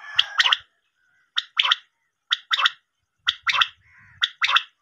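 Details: Common quail, possibly a female, repeats short, harsh, gurgling groups of two or three quick notes, about one group each second, with no other sounds; used as a hunting lure call.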